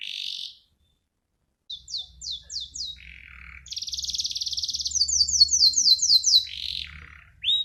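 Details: Canary song in separate bursts: a buzzy note, a short pause, spaced downslurred chirps, a low rattle, then a sustained buzzy trill and fast sweeping notes; low hum behind.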